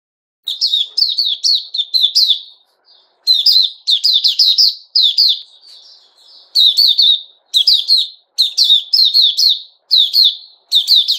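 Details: Sooty-headed bulbul, a male, recorded 10 July 2021, singing rapid bursts of bright chirpy, slurred notes grouped into short phrases with brief pauses, a few softer trailing notes near the middle; quiet background.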